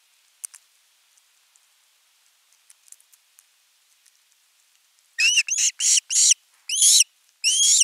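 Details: Calling insistently for fish at a Finnish osprey nest, 10 August 2021. After five seconds of near silence with scattered soft ticks, a rapid run of six harsh, screaming notes follows, each with a bent, rising tone.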